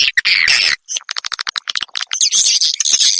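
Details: Edible-nest swiftlet call recording played to lure swiftlets to roost; dense sharp chattering twitters and rapid clicking bursts, high and harsh, with brief gaps between runs.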